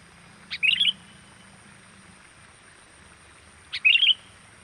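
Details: Lure call of a sooty-headed bulbul for attracting wild birds: two brief, twittering high phrases, each preceded by a quick click and spaced about three seconds apart, with a soft low rumble in the background.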